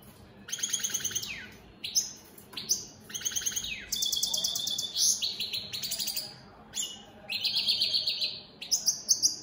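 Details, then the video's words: European goldfinches, opal split satinette mutation birds, singing in captivity: bright twittering phrases of rapid high trills and buzzy descending notes, tumbling in quick bursts across the whole stretch with short pauses between. "Opal split Satane goldfinches siging"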